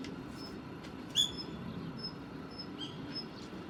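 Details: Female Daurian redstart, 3 November 2019, resting on a parked car's wiper and reacting to a male calling nearby: one sharp high whistled note stands out, followed by several faint thin high notes over steady low background rumble.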